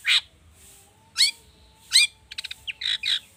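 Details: Long-tailed shrike, cendet, on a prompting track: loud harsh rising squawks spaced apart, followed by a quick burst of clicking pulses and short buzzy notes.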